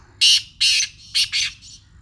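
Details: Harsh, grating notes from a Sindhi black francolin known for its heavy voice. Two broad rasps are followed by a linked pair of shorter notes, the last fading, with only quiet noise around.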